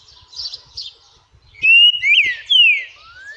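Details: Owned green-winged saltator, described as shy, singing: after faint high chirps comes a loud phrase of clear slurred whistles, one long even note, a quick up-and-down twist, then a falling whistle, ending with a softer rising note.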